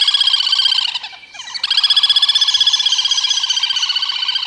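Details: Little Grebe (Tachybaptus ruficollis), filmed while feeding chicks, giving a high, shrill whinnying trill of fast pulses, about four per second, breaking briefly after a second, then resuming steadily.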